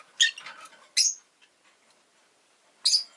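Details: Rosy-faced lovebird giving scratchy, high-pitched chirps, an opening noisy rasp followed by two clear sharp chirps about two seconds apart, with a little low background rumble.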